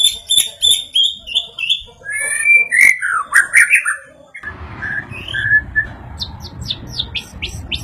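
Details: White-rumped shama singing, described as growing more agitated after hearing a played sound; quick varied whistled phrases mixed with dry rattling notes and rising slurred whistles, ending in a series of short sharp upswept notes.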